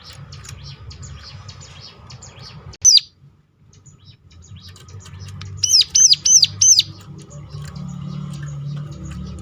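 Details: Hill prinia call meant to lure other birds into song. One piercing note sounds, then silence, then four loud, evenly spaced sharp downslurred notes, set against a constant low hum and faint chirping.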